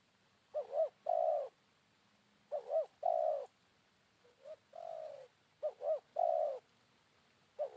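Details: Spotted dove, wild, calling back to a decoy bird at midday following rain. Four cooing phrases, each a pair of bouncing notes and then a drawn-out purr, arrive about every two seconds. One phrase is softer. A faint low hum sits underneath.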